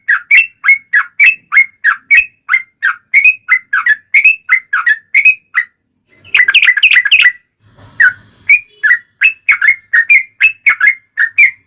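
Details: Yellow-vented bulbul in long rolling fighting song, used to lure other bulbuls into singing: steady rows of quick downslurred whistles, broken midway by a dense scratchy chatter.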